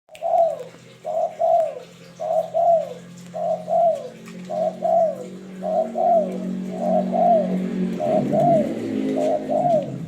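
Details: Spotted dove (tekukur) lure call: soft mellow coos in close pairs, each falling slightly, repeated steadily about once a second, over a low steady hum.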